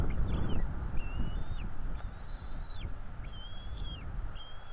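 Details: Two young bald eagles, NE26 and NE27, begging during feeding at their Florida nest, April 2022: loud, thin, drawn-out whistles, several gently arched, a few short peeps between, against a deep rumbling background.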